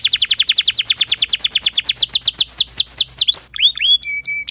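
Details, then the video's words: Timbrado canary in full song: a fast, regular run of downswept notes, about ten per second, slowing into broader curved whistles and finishing on a level held tone. "Timbrado canary singing beautiful melodic songs for training and listening"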